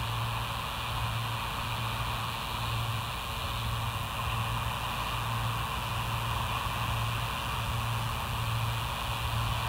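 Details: No animal sound; a steady rumble of traffic-like noise with a pulsing low hum and broad hiss throughout.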